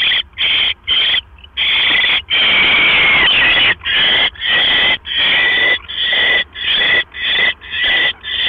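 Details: Owl at its nest after dark on October 12, 2015, 9:40 PM, with a mouse brought in: harsh rasping hisses, first short and choppy, then one drawn-out screech over a second long, then a quicker irregular series.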